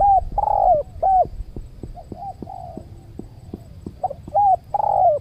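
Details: Spotted doves cooing during a luring session with a trained decoy dove at a new site beside a durian orchard. Loud, hooked, two-part coos repeat irregularly, mixed with fainter answering coos, over a low rumble.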